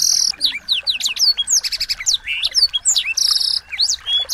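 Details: Small birds' lively song for training a white-rumped shama: fast sequences of sharp, descending whistles, buzzy trills and chirps overlapping without a break, the notes high and bright.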